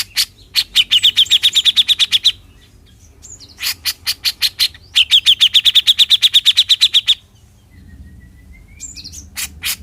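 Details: Cucak jenggot (grey-cheeked bulbul) besetan: two long, rapid strings of sharp buzzy notes, each lasting about two seconds, separated by a quiet gap with scattered single notes.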